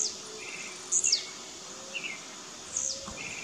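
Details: Blue-black grassquit (tiziu) singing in the bush during a dispute between rivals: two short, sharp, very high notes that slur downward, a couple of seconds apart, over a steady insect hiss with faint lower chirps from other birds.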